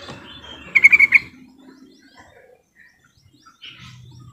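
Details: Yellow-vented bulbul lure call, used to prompt silent bulbuls to start singing: one quick bubbly burst of four or five bright chirping notes, then quiet with faint low background hum.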